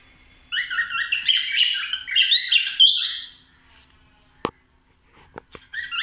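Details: Pet cockatiel roaming indoors around a house, giving about three seconds of rapid, buzzy, warbling chatter, then quiet with a few sharp clicks and a short burst of chirps at the close.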